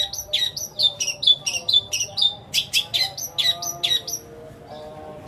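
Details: Long-tailed shrike performing lengthy borrowed phrases of sparrow, petir and kuntilanak, a lure for non-singing shrikes; a fast run of high sparrow-like chirps repeats roughly twice per second, then stops into near silence before one last note.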